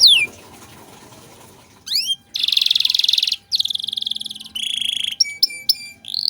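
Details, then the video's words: Domestic canary, recorded as a master song for teaching other songbirds, delivering long buzzy rolling trills separated by short gaps, with quick upward slurs between phrases; the opening is near silence. "Masteran Kenari Gacor Cengkok Mewah"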